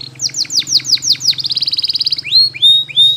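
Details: Canary training song: about seven quick, downward-swooping whistles, then a fast rolling trill, ending with a few rising-then-level clear whistles.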